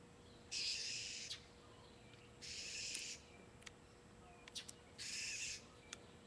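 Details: A blue jay, angrily scolding a cat on a June afternoon, gives three harsh, raspy scolding calls, each under a second and spaced about two seconds apart, over a faint steady hum and a few clicks.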